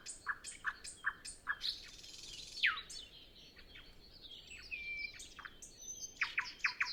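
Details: Before sunrise, with no wind and no other birds yet singing, a nightingale delivers evenly spaced sharp notes, a rising whistled sweep, a buzzy section and a clear whistle, closing with rapid repeated chips.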